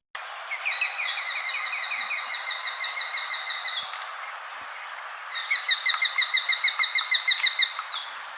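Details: Two Sharp-shinned Hawks calling to each other at Metcalf Creek, Big Bear Lake, California, on September 9, 2020, give two bouts of rapid, high, sharp kek notes, about three per second, each run about three seconds, over faint outdoor hiss.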